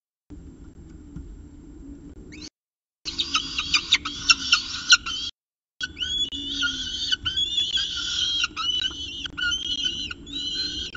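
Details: Peregrine falcon at its CSU Orange nest with a second meal, 2 November 2018, 9:53 am; loud harsh scratchy bursts, then clearer whining notes repeating quickly, broken by two brief silent gaps.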